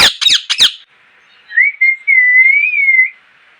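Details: Three raspy parrot squawks in quick succession, a pause, then two short rising whistles and one long, gently wavering whistled note lasting over a second.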